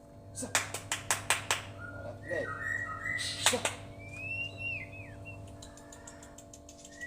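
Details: White-rumped shama (Murai Batu), champion bird from Medan, singing with lovebird-like notes and long bursts: a run of sharp ticking clicks, then slurred whistles, another click, and a long rising-and-falling whistled phrase over a steady low hum.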